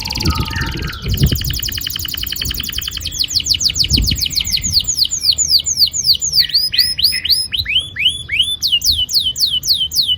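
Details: Young canaries are stimulated to sing with this long rolling canary song: a high buzzy trill opens, followed by rapid repeated falling whistles and looping sweeping notes, with some low thumps in the background.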